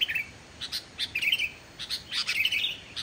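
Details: Sooty-headed bulbul song, used as a lure to draw other bulbuls into singing: short bright chirps and brief warbled phrases in irregular bursts, with quiet gaps between.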